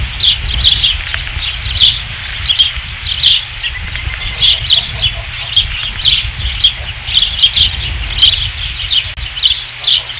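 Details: Osprey calling at the nest on 5 August 2016: a steady series of sharp, high chirps repeated roughly every half second, with a low rumbling background.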